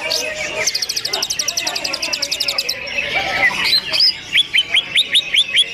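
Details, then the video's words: Caged green leafbirds (cucak ijo) in a simulated song contest, with the hanging rack full of birds, sing dense varied material: rapid high ticking trills, then loud upslurred whistled notes repeated about twice a second, over overlapping chatter from other birds. "CUCAK IJO MU KONSLET MATERI FULL GANTANGAN CUCAK IJO MATERI RAPAT 🪶 SIMULASI LOMBA"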